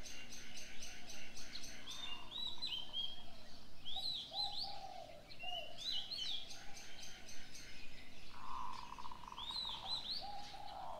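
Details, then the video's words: Birds singing at dawn: bright whistled, slurred phrases return every few seconds among busy high chirping, with deeper cooing notes underneath and a light hiss throughout. "Birds sounds on the morning 清晨鳥鳴"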